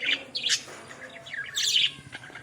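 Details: Australian parrots giving a few short, bright chirps and a slurred, rising-and-falling warble. The calls come in two quick bursts separated by a brief gap.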